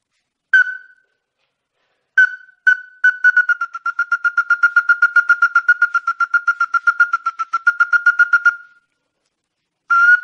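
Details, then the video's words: Ruddy-breasted crake, recorded for luring birds, gives two lone harsh notes, then a long steady run of about forty rapid, even nasal notes lasting over five seconds, with silence before a final burst. "Tikusan Mata Merah ║ Ampuh Untuk Pikat !"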